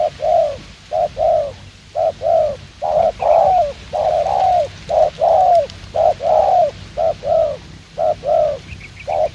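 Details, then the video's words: Fast 'gù tốc độ' cooing from a spotted dove used as a decoy in trapping: a long string of low, rounded coos at about two per second, with faint high chirps from other birds in the background. "Gác Cu Gáy . Bổi Đẹp Trai Có Nước Gù Tốc Độ."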